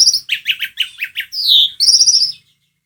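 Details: Lively song of an Asian pied starling (jalak suren), used to get a quiet bird singing: quick chattering chirps, then a loud descending whistle and a high, trilled, buzzy phrase before the song stops.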